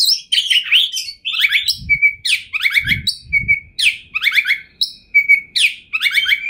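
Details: Oriental magpie-robin, or kacer, a champion bird from 2021 in full luxurious song. Repeated cascades of descending buzzy notes alternate with short clear whistles, accompanied by a few soft low thumps.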